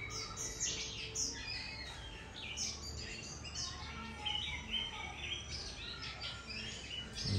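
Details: White-rumped shama singing at noon in sunshine near the end of the season, a dense, rambling run of varied high whistles and chirped notes with little pause, over a steady low background hum.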